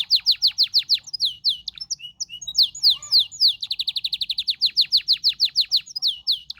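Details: Canary song: rapid runs of bright downward-slurred whistled notes, about five per second, with short buzzy and chirping phrases between the runs. The song is steady and clear with no other sounds.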